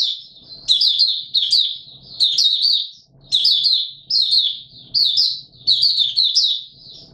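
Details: Singing white-eye, the Mata Puteh Raja, recorded on 20 March 2022 in warm humid weather; sweet, very high twittering phrases repeat about every second over quiet background.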